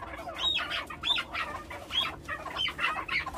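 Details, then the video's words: Farm-raised chukar partridge giving a series of harsh, clucking chuk notes, roughly one per second, with a faint background hum. "Farmi Chakor"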